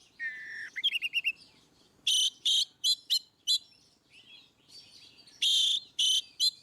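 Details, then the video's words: Oriental magpie-robin in ngeplong song, used to coax birds that rarely sing; opening whistled warble and quick trill, then loud repeated harsh buzzy bursts separated by softer scratchy warbling. "Kacer ngeplong"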